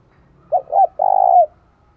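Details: Spotted dove cooing, bích bổi style, used as a decoy to attract doves: a short coo, a slightly longer second note, then a drawn-out buzzy coo that bends down at its close.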